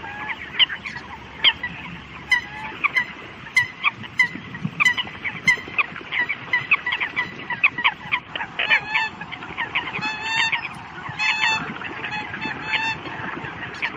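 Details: Long stretch of Eurasian coots calling to the flock: rapid clucking chatter at first, then louder ringing honks in short runs toward the end.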